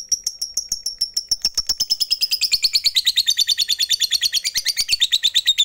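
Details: Fighter lovebird giving the long 'ngekek panjang' chatter, used to provoke rival lovebirds into singing; a fast, even stream of shrill repeated notes, about three per second, held throughout and sliding gradually lower in pitch.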